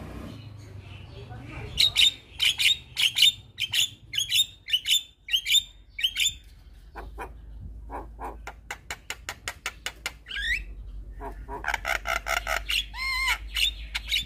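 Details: Black-winged starling song to coax listless starlings into answering: a long rhythmic series of sharp ringing notes, then a fast clicking rattle, ending with wavering whistles and loud harsh calls.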